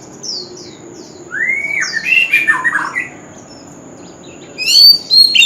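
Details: Male white-rumped shama in fighting-style song, voice said to be true to the wild: a few faint high notes, then a loud rising and falling whistled phrase with tumbling notes, a pause, and a sharp bright burst at the end.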